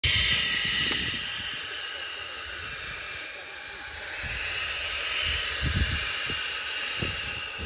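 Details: Baby barn owls in an owl box give a steady, rasping hiss, a breathy rushing noise that swells and fades over several seconds, with a few faint low knocks beneath.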